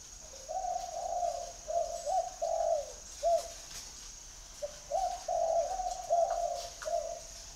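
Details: Spotted dove call, two full rounds of low mellow cooing: each phrase strings several soft hooting notes, with a brief pause and a short note between phrases, over a faint high hiss.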